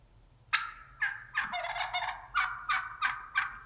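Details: Strutting Merriam's wild turkey hen gobbling in Utah; a loud run of harsh, rattling notes that run together mid-clip, then separate yelps roughly every third of a second, with some background hum.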